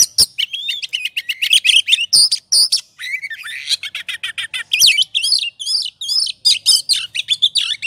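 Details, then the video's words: Ngobra singing of an oriental magpie-robin used to provoke gacor singing: a busy mix of sharp chirps, whistled slurs and a raspy buzzy passage midway, delivered rapidly and almost without gaps. "Pancingan suara kacer ngobra,,pasti emosi dan gacornya terpancing.."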